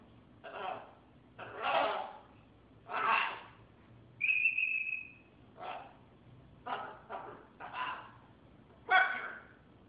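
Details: Talking military macaw giving a run of coarse, speech-like syllables broken by one long steady whistle midway, then further short hoarse phrases.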